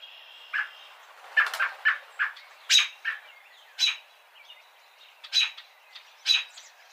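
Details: American robin (Turdus migratorius) calling: sharp, bright chip and peek notes spaced irregularly, some in quick clusters, over a faint hissy outdoor background.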